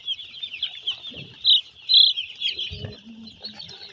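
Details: A brooding flock of young broiler chicks on a Narsingdi farm at Nagoriakandi: continuous high peeping with two louder piercing cheeps near the middle, plus low bumps and rustling from movement.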